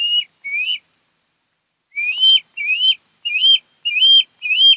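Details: Osprey at a Chesapeake nest on Kent Island, Maryland: two upslurred whistles, a pause of over a second, then a brisk series of five more high chirping whistles.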